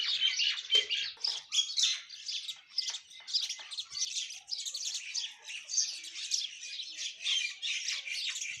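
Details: Myna song on a morning, a dense, continuous chatter of high chirps and squeaky notes with steady pulsing loudness, as from several birds calling together.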